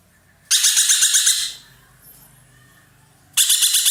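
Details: A roller kept by Indonesian bird fans calls with a loud, coarse, rattling burst of rapid pulses lasting about a second. A faint whistle follows in the pause, and another burst starts at the end.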